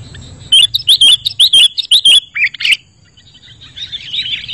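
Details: Sooty-headed bulbul sound used as a lure and tutor recording for luring wild birds and prompting quiet caged bulbuls to answer. A quick run of about nine sharp, high, clipped chirps comes in the first two seconds, then softer twittering over a faint low hum.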